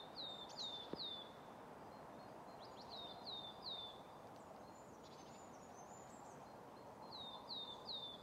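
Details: Coal tits singing at Grandungen, Ryggisspåret, Haga, on 10 March 2024: three bursts of high, thin, downslurred whistled notes, each burst three or four quick repeats, over steady low background noise.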